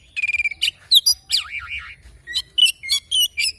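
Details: A morning-singing oriental magpie-robin pours out a dense medley: a quick stuttered trill, sharp chips, a zigzag warbling whistle, then a series of clipped, buzzy rising notes.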